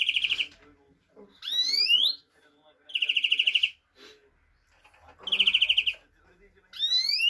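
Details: European greenfinch (Chloris chloris) song: rapid, buzzy trills under a second long alternate with sharply rising, ringing whistled slurs, repeated every second or so.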